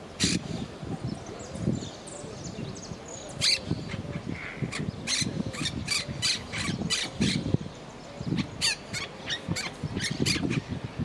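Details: A pet monk parakeet kept in a house gives sharp, harsh squawks and clipped chatter in quick bursts, some only a fraction of a second apart, over a low indoor murmur.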